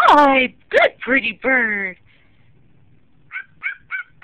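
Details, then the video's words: Bird giving funny barking sounds: four harsh, harmonic, dog-like barks within two seconds. After a pause, four short, higher chirping notes follow at an even pace. "Funny Bird Barking"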